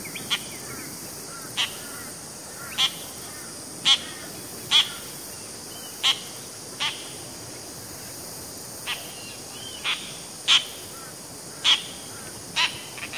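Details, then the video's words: Dollarbird calling at Oxley Creek Common: short, harsh, rasping notes, one about every second, with a faint hiss behind. "Dollarbird calling"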